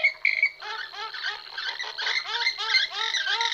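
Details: Several pairs of purple swamphens calling together: a dense, overlapping chorus of nasal honking and squealing notes, repeated rapidly with rising and falling tones.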